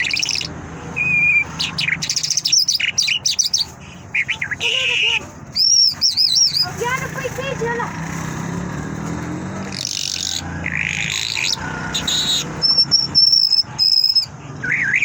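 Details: Long, varied song of a Mashhadi lark: rapid chattering bursts, wavering whistled phrases, rippling trills and sharp chips, delivered in quick, irregular sequences with brief silences between.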